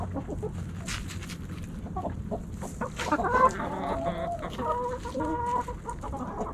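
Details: Hens and roosters in a backyard flock snacking at Thanksgiving: quiet clucks, then a louder drawn-out call with stacked tones, followed by soft murmuring notes.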